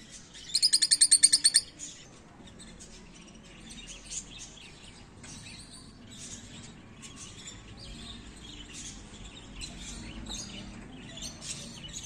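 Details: Lovebirds at Lagos de Moreno, Jalisco, Mexico: a loud, rapid, high chattering trill bursts out briefly near the start, followed by softer scattered chirps and twitters against faint outdoor background noise.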